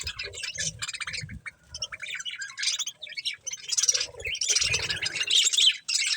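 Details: Pet budgerigars eating corn: a steady stream of scratchy chirps, squawks and rapid chatter, with occasional low bumps and rustles from movement.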